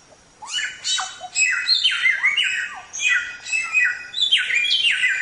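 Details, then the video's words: Black-throated Laughingthrush singing on a songbird training recording: loud, bright phrases of descending whistles with harsh edges, delivered in a steady stream of varied notes. "Suara Burung Samyong | Gacor"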